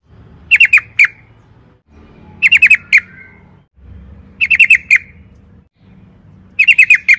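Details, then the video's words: Sooty-headed bulbul call sequence played to provoke other birds into answering: short bursts of three to four sharp, clipped notes, repeated about every two seconds with quiet gaps between. "pancingan trucukan gacor ROPEL PANJANG NARUNG AMPUH jadikan BURUNG TRUCUK GACOR NYAUT SEKETIKA JUGA"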